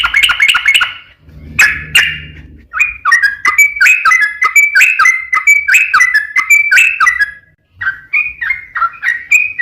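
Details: Yellow-vented bulbul in nonstop song, played as a lure for other bulbuls: a fast trill opening, then a long sequence of bubbly, warbled chatter, with a low rumbling background noise briefly early on.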